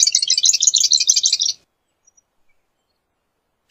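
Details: Marsh wren singing a rapid buzzy, rattling trill of dense high notes lasting about one and a half seconds, followed by silence and a brief final note.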